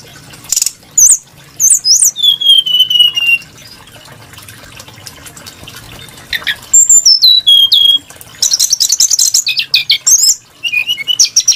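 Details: A Brown-chested jungle flycatcher gives bursts of high chips and trills, a long steady whistle, then rising and falling slurred notes, with sharp clicks and quiet gaps between phrases. The voice is varied and melodious.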